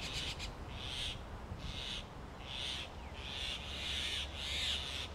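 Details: In Delhi summer, a male grey hornbill feeds the female sealed inside a mud-caked hollow tree nest where she incubates eggs. Loud, harsh, high squeals come in short bursts, some doubled, with pauses between and low hum beneath.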